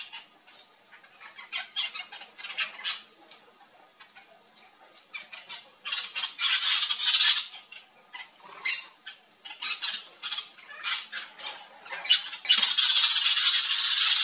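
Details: Backyard flock of Yellow-chevroned Parakeets feeding on fruits in Brazil: many overlapping raspy, high-pitched screeches, scattered at first, then louder dense bursts of chatter from six seconds on, ending in sustained shrill squawking.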